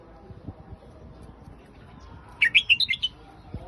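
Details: A red-whiskered bulbul gives a single Phetchaburi-line song phrase, a fast tumbling run of clear whistled notes lasting under a second, with soft low knocks and hum in the background.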